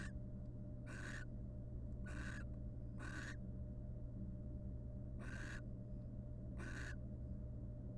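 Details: Courting wild barn owls preening each other in a nest box; about six harsh hissing bursts in uneven rhythm, a two-second silence midway, over steady electrical hum.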